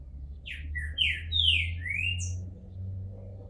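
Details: Captive green-winged saltator, balding and coming out of moult, sings a phrase of slurred whistled notes. The notes rise and fall, a few bright ones swoop downward, and a steady low hum runs underneath.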